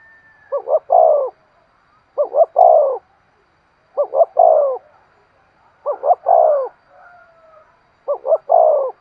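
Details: Decoy spotted dove cooing to draw in wild birds, five evenly spaced phrases of two short coos and a longer falling coo, one roughly every two seconds.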